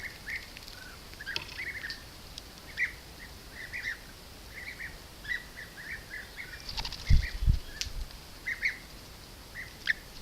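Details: A group of European bee-eaters hunting bees around beehives at an apiary near Corte Franca, Cavarzere, Italy, filmed by camera trap: frequent short rolling, liquid trilled calls overlapping from several birds, with a couple of low thumps midway.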